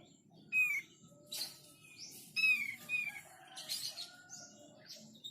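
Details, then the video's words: Thick-billed white-eye song, used to make other birds of its kind answer: clear, slurred whistles near the upper-middle range, falling at the end, mixed with higher sharp chirps and faint background hiss. "Semua opior paruh tebal pasti nyaut"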